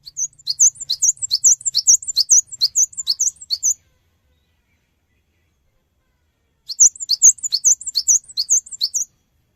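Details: Lure song of a Cinereous tit, meant to draw fast replies from other birds: quick bursts of bright, high, upslurred notes for nearly four seconds, a silent gap of about three seconds, then another two-second run.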